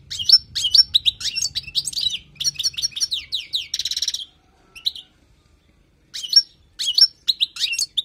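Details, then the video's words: Wild European goldfinch singing, recorded for tutoring: fast liquid twittering phrases with sweeping chirps and a buzzy trill, a brief pause, then more tinkling notes. "تغريد حسون خلوي للتعليم"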